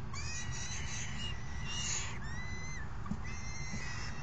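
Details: Falcon nestlings being fed by their parents on June 3, 2018: long, level, thin whining calls, repeated in a couple of stretches with brief breaks, above heavy low background rumble.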